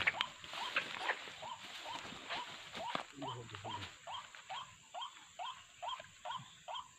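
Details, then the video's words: White-breasted waterhen calls used as a bird-trapping lure. Mixed, noisy calling gives way to steady hooked croaking notes, about two each second, over a hissy background with a constant high whine. "MIKAT BURUNG WAK WAK.TERBARU. SEKALI DATANG BANYAK"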